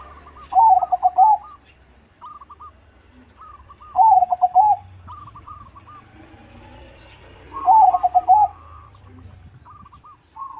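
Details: Zebra dove, a crossbred bird in full song with a big voice, repeats a loud, rippling coo phrase roughly every three and a half seconds, three times. Softer clipped coos from other doves answer between phrases.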